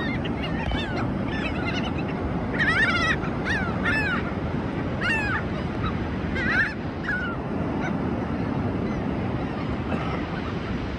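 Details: Seabirds on the ocean shore of South Padre Island, Texas, in spring: scattered bursts of nasal, harmonic calls in the first half, then sparse faint notes, all over constant roaring surf.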